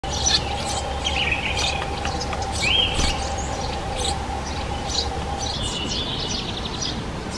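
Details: Eurasian tree sparrow calls at its nest during nesting, with nestlings: short, bright chirps scattered through the clip and one quick rising note, over a steady low hum and rumble.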